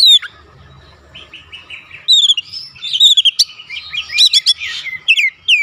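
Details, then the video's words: Oriental magpie-robin kept at home, its song used to draw a response from other birds: varied whistled phrases mixing high thin notes, slurred whistles and rapid chattering bursts, with faint low background hum. "AUTO RESPON NGEPLONG GACOR KACER ANDA DIRUMAH"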